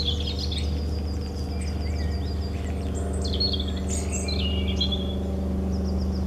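A European robin sings thin, high, liquid phrases of quick varied trills and slurred whistles over a steady low droning hum.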